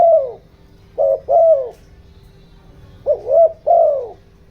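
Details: Spotted dove, a decoy bird giving a cooing call meant to lure and excite wild doves: soft hollow coos in two groups, two or three notes each, with a pause of over a second between groups.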